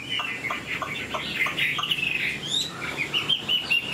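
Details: Captive Chinese hwamei singing after its keeper's phone call: bright, varied whistled phrases, rising and falling slurs and short repeated notes, continuous and loud, with faint background noise.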